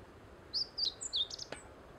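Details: Singing Meadow bunting on the Teganuma promenade: a varied, fast phrase of high whistled and slurred notes lasting about a second, followed by a brief click, over light background hiss.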